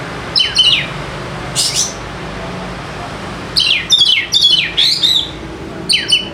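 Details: Lure song of a fighter Oriental magpie-robin for birds that will not sing: quick paired whistles, a lone high sweeping note, then a long chattering run of clear descending notes and a final pair, over constant hiss.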